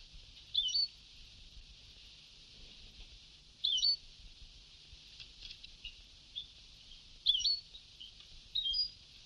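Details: Old Sebtawi-style song tape of a European goldfinch, four brief high-pitched twittering bursts spaced irregularly, separated by quiet hiss.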